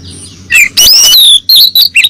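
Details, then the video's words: Female oriental magpie-robin calling the male, used as a lure: several loud, high whistled notes, including a long falling slur and short dipping whistles, over a low hum. "Pancingan siulan kacer betina memanggil jantan"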